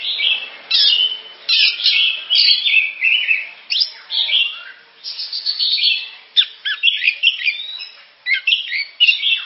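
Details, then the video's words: Oriental magpie-robin (kacer) singing a sustained medley of loud whistles, rasping buzzes and chattering notes, phrases flowing almost without break. "Suara burung kacer"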